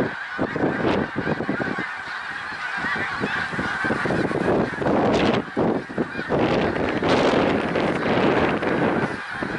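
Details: Snow geese at Middle Creek Wildlife Refuge, Pennsylvania, on 1 March 2021: a dense, continuous din of many overlapping honking calls from a large flock, with no pauses.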